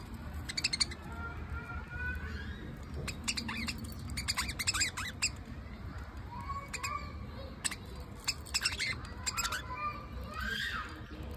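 Budgerigars chatter with quick, scratchy chirps and squawks over a low background hum.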